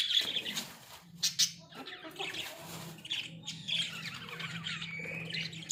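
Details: Caged pet budgies, Australian, chattering in uneven high scratchy phrases with brief squeaks and soft gaps, a low hum running beneath.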